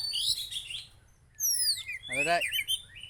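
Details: White-rumped shama from Aceh delivering a varied song: high whistles, then clear downward-slurred notes, then a harsh rich rattling burst followed by warbled high phrases.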